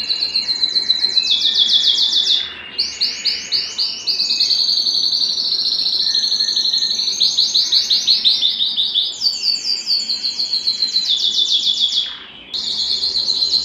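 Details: An excited domestic canary in breeding condition sings a long, rapid song of trilled rolls and bright high tours, each phrase repeated several times before switching, with only brief pauses.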